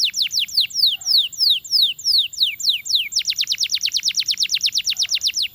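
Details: Belgian canary singing to encourage other canaries to sing: a run of clear downward-slurred whistles about four per second, switching to a faster, tighter series of rapid descending notes.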